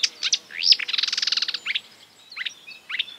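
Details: Mimicking marsh warbler (Acrocephalus palustris): quick chattering notes and a rising slur lead into a rapid buzzy trill, followed by scattered short rising chips.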